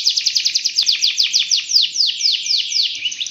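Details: Canary in full 'gacor' song meant to get other canaries singing: a steady run of quick descending whistled notes, slowing slightly toward the end into broader sweeping notes.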